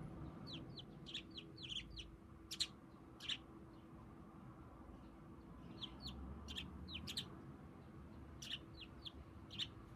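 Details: Tame pet budgerigar standing on one leg, seeming to talk to its owner: quiet bursts of short, sharp chirps in quick runs with pauses between, over a steady low electrical hum and faint room noise.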